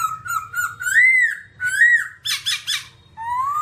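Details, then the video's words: A babbler, described as all black, sings long, arching whistled notes with harsh overtones, a burst of rough chattering, then a rising slurred whistle, over a faint low hum. "birds Timaliidae singing"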